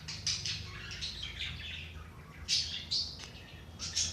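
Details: Budgerigar warbling meant to rouse idle budgies: bright squeaky calls mixed with fast raspy chatter, several louder chirps spaced about half a second apart in the second half, over a low hum.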